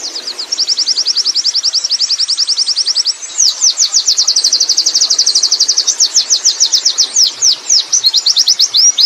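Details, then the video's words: High, thin, rapid-fire notes from a wild Oriental white-eye in ngerol rolling song, starting with an even fast trill and turning into looser, swooping chirps, pouring out continuously. "suara burung pleci ngalas ngerol"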